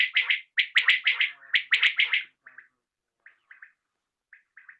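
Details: Evening recording of a common quail: loud, rapid three-note phrases in quick succession for about two seconds, then fading into faint, widely spaced shorter bursts.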